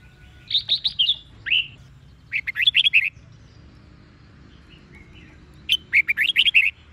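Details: Red-whiskered bulbul, wild-caught, singing Sông Kôn style morning song with doubled twisting notes for voice training. Quick rolling whistled phrases come in short bursts of five or six notes, with a brief quieter call between them.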